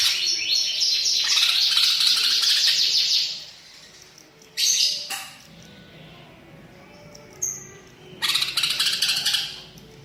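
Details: Long, continuous high twittering song from a green leafbird packed with borrowed phrases of other birds, then silence, a short sharp burst, a thin whistled note, and a final rapid rattling chatter.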